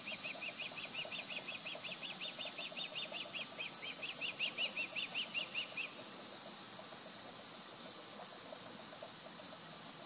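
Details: Fledged juvenile Osprey calling close to the nest in mid-July 2020: a rapid, even train of high piping chirps for six seconds, then only steady hiss and faint lower sounds.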